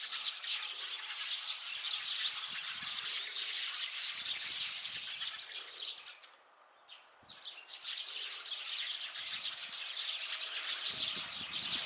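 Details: Flock of Eurasian tree sparrows recorded 8 February 2024, a dense chorus of high chirps and twitters overlapping continuously, briefly dropping to near silence around the middle before the massed chattering resumes at full intensity.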